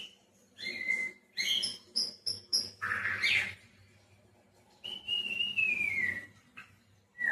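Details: White-rumped shama, a caged songbird, singing varied clear whistles: short bright notes, a rough burst, then a long slurred whistle falling steadily over about a second, with pauses between phrases and a low steady hum underneath.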